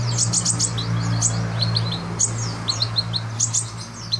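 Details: Kolibri ninja sunbird singing busily as tutor material: bursts of sharp, very high chips and quick slurred notes, several per second with brief gaps, above a constant low hum.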